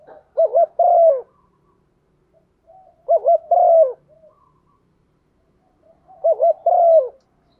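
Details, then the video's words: Female spotted dove stimulating a male, a call used to lure birds: three low coo phrases about three seconds apart, each two short wavering notes and a drawn-out falling coo, faint murmurs between. "Tiếng chim cu gáy MÁI kích trống, chim cu mái thúc gù"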